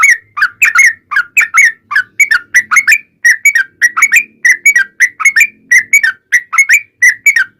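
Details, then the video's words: Lure recording of a yellow-vented bulbul in 'ropel panjang' style, meant to make bulbuls answer: a steady stream of bright bubbly doublets and triplets, each warbled note dipping and rising, with hardly a pause. "SUARA trucukan gacor ROPEL PANJANG"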